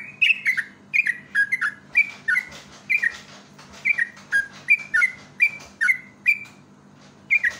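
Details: Gacor yellow-vented bulbul singing a pancingan lure song: short, clear whistled phrases of two or three downward-slurred notes, repeated roughly every half second to second in a chattering, cheerful sequence, with a faint low electrical hum beneath.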